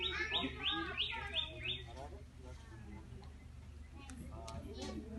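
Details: Talking parrot: five quick, falling, harmonic-rich notes repeated about every third of a second for two seconds, followed by quieter scattered chatter and sharp clicks over a low background hum.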